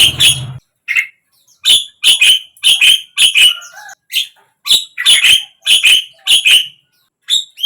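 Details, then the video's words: Javan myna song played to get a silent bird to open its beak and sing: harsh, clicking bursts centred high, delivered in quick irregular runs of short notes with brief pauses, a low thump at the start. "suara JALAK KEBO BISU BIAR IKUT BUKA PARUH"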